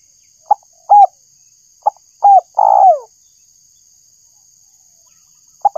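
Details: Spotted dove, known locally as tekukur, calling for bird luring; scattered short hooting notes, then a pair of short coos and a long falling coo, with a faint steady high hum and otherwise silence.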